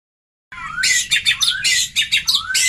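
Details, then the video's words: Oriental magpie-robin lure song for prompting young birds to respond: loud, harsh chattering bursts alternating with short upward-sweeping whistles, delivered in quick succession after a brief silence. "suara pancingan kacer bakalan"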